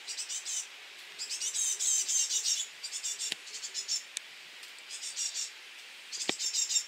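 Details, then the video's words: Great tit chicks at feeding time: high, thin, rapid cheeping in bursts of about a second, repeated insistently with short pauses, plus a few sharp clicks. "voedertijd.. koolmeesjes"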